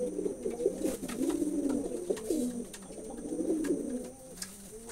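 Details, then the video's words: Pigeons coo continuously, several birds overlapping in soft rolling, warbling phrases, with faint clicks and an unbroken high background hum. "কবুতরের ডাক || পায়রা কবুতরের ডাক Pigeon sound effect"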